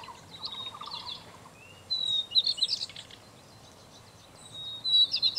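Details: A red-breasted flycatcher (Ficedula parva), a rare passage migrant or winter visitor at Shimen Reservoir, Taiwan, on 16 January 2018, calls twice about three seconds apart, each a short thin whistle followed by dry, rattling chips, over faint hiss.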